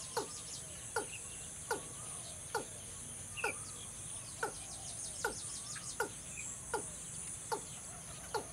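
Watercock giving a steady series of hollow, clucking notes, one every second or so, over a constant high insect drone.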